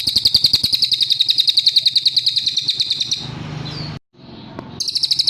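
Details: Cililin song used as a training master for other songbirds, a rapid steady string of piercing high notes repeated several times a second, broken by a short pause, then resuming abruptly; low hum underneath.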